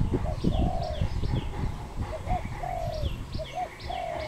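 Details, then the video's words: Wild dove calling in Cambodia on 23 April 2020: soft hollow coos in paired short notes followed by a drawn-out falling coo, with thumping low noise and thin high descending chirps from other small birds. "សត្វលលក | Dove, นกเขา, Bồ câu"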